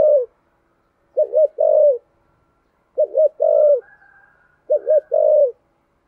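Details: Deep-voiced spotted dove in the 'thunder voice' style, cooing rapidly: three low phrases, each a quick two-part note and a longer rolling coo that drops at the end, with a faint higher dove murmur between.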